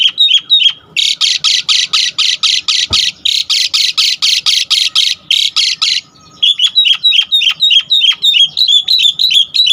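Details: Asian pied starling in energetic lure song for provoking other starlings: a long rapid series of loud, harsh, buzzy squawks about four per second, framed by quick bright chipping notes.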